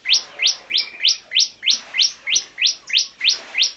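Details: Ngebren-style song of a bar-winged prinia used as tutor material: a rapid, even series of bright chirps, roughly three per second, each note sliding down slightly, over a quiet background.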